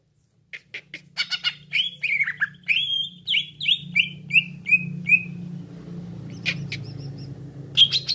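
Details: Trapping-lure recording of a cucak ijo (green leafbird): sharp clicks lead into a string of loud, downward-slurred whistles, evenly spaced and fading toward the end, with a steady low hum and a last bright note.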